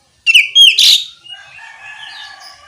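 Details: Oriental magpie-robin singing ngeplong style to prompt other magpie-robins to answer: two or three sharp, bright whistled notes and a harsh chattering burst, followed by soft background twittering.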